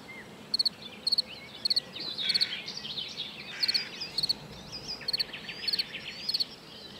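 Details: Eurasian treecreeper at Joachimów Mogiły reservoir, Poland, on 27 May, gives thin, very high, sharp call notes about every half second, with other birds chattering and trilling in the background.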